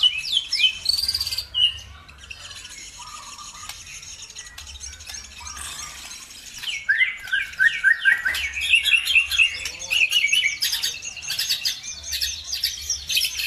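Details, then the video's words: Bird song used to goad other birds into singing: an opening burst of loud chirps, a quieter, busy stretch of high twittering, then a long series of quick bright repeated whistled notes. "BIKIN EMOSI BURUNG NAIK IKUT GACOR"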